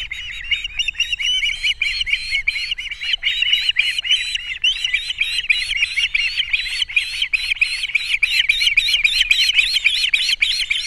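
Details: At a Captiva osprey nest on 3 April 2022, as fish arrives and the female feeds the chicks, high whistled chirps pour out in a fast, irregular, continuous stream for eleven seconds.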